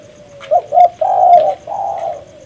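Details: Vigorously calling spotted dove for luring: two clipped coos, then a long, rolling coo and a softer drawn-out ending note.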